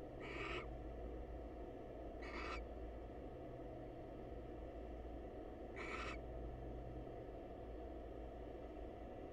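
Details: Female barn owl, wild, greeting a male in a monitored nest box; three short hoarse hissing screeches, two close together and a third after a pause of several seconds, with a steady low hum beneath.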